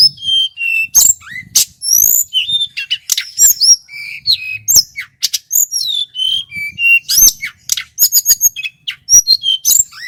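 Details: Male hill blue flycatcher from the Merapi area in Indonesia, used as a lure and training song, delivers a loud, clear run of varied high whistles, trills and sharp rising notes in rapid bursts, with short pauses and no other sounds.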